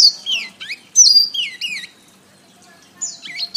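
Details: Canary master song: clear loud whistles that bend downward in paired phrases, then a pause and a final run of falling notes.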